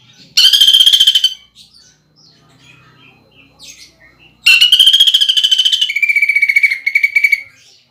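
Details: Caged greater green leafbird lure song with mimicry of woodpecker, kingfisher and fighting sparrow. A short harsh rattling burst, a quiet pause with faint chirps, then a longer rough, rapidly repeated rolling phrase ending in a steady buzz.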